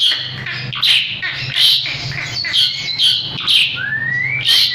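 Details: Gacor Asian pied starling in full song for bird training: dense, rapid harsh chatter bursts, ending with a clear rising whistle slur.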